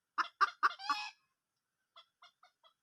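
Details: Junglefowl hen in the wild giving four loud clucks close together, the last one stretched and buzzy, then four soft, quick clucks after a pause.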